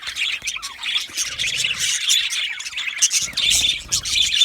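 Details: Content budgerigars communicating with gentle chirps: shrill rapid twittering and squeaky warbles from several birds, continuous, with brief louder peaks.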